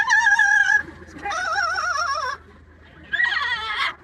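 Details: Yellow-naped amazon parrot kept as a pet, making noise and singing opera on the commute; three drawn-out harmonic phrases, the middle one warbling with vibrato, separated by short pauses, low engine hum beneath.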